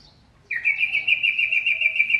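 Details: Masked laughingthrush singing actively: a sudden, loud, sustained chattering trill of fast, even, buzzy notes at a steady pitch, running for nearly two seconds.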